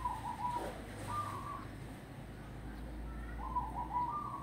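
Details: Zebra dove, a local wild bird of Grobogan, sings brief rippling coo phrases separated by pauses, fast staccato notes running into a smoother drawn-out coo, over constant low-pitched background noise.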